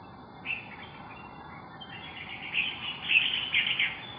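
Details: Female brown shrike, a migrant from North Asia that arrived at the end of August, recorded on 4 September 2021 while eating worms; short high chirps come in a quick irregular cluster in the second half, over steady background hiss.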